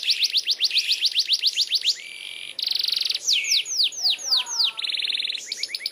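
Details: Canary in a long rolling song: rapid trills of rising whistled notes, a buzzy sustained section, swooping descending slurs, then quick repeated notes again.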